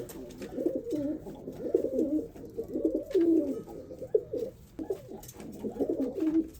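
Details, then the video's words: In a zoo, a white male pigeon performs a courtship dance and coos to win a brown female; near-continuous low, throbbing coos rising and falling in quick succession. "Male Pigeon Attracting Female Pigeon"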